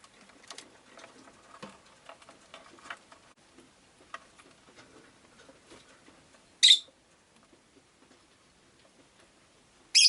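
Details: Quiet clicks and rustles for six seconds, then a rosy-faced lovebird, a pet bird, lets out a piercing chirp, with another sharp chirp right at the end.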